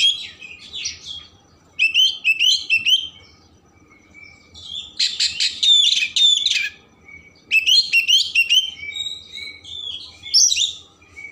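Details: Kept Oriental magpie-robin with full, rich song played to stimulate emotion and tail opening: long bursts of rapid whistles, chattering trills and buzzy harsh notes, with short quiet gaps between phrases.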